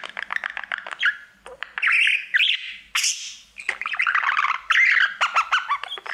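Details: Pet budgerigar singing to its mirror, a male who sings to it all day long: rapid chattering warble of clicks, buzzy squawks and short whistled notes, bursts broken by brief pauses, with a faint low hum beneath.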